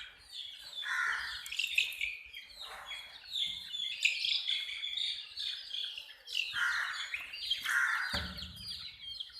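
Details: Chicks calling with bright, high chirps in quick runs, mixed with a few lower, rounder notes and brief rustling, the peeping continuing throughout.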